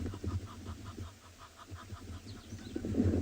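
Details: Egyptian goose at a South African reserve waterhole in the afternoon, giving a quick series of short, evenly spaced nasal honks over low background rumble, ending in a louder burst of noise.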